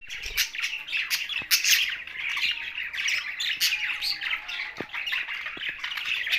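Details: Budgerigars kept together with parrots in Larkana, Sindh, giving dense, continuous high chirping and chattering warbles, with overlapping calls from many birds and a few sharp clicks.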